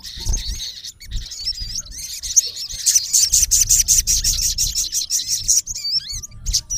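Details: Male olive-backed sunbird, known locally as sogon, calling a rival: high thin chirps and twisting whistles, then a fast run of sharp repeated ticks about three per second, ending in rising whistled notes, with low thumps beneath.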